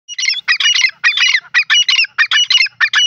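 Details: Female grey francolin calling: harsh, scratchy, squeaky notes grouped into quick bursts, about ten in three seconds, each bursting loud then stopping abruptly, with no other sounds behind them.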